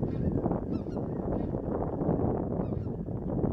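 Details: A flock of about 50,000 snow geese returning to Mallard Corner, Arkansas, fills the air with a dense, continuous roar of overlapping nasal honks and yelps, no single bird standing out.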